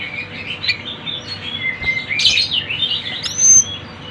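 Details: Sunda bush warbler, lure recording of lively bird sounds: rambling chirps and twitters building into a loud rough burst, then a clear high whistled note sliding upward.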